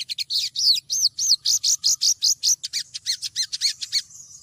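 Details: A female sogon (Cinnyris jugularis, olive-backed sunbird) calling to attract a male: a fast run of high, arched chirps, about four or five per second, with later notes turning sharper and more clipped. No other sounds are heard.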